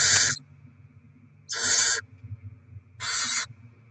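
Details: Rodent deliveries and feeding of the barn owl little ones on 07/02/2024: three harsh hissing screeches about 1.5 seconds apart, each around half a second long.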